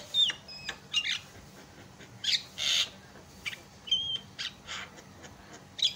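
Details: Recording of a Javan myna used to stir other mynas into song: raspy hisses and harsh bursts alternating with thin, level whistles and sharp clicks, delivered in irregular phrases.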